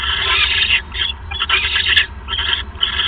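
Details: Owl at 9:42 PM on 28 December 2014 during a male's third mouse delivery; continuous harsh, wheezy rasping with brief dips and one sharp click.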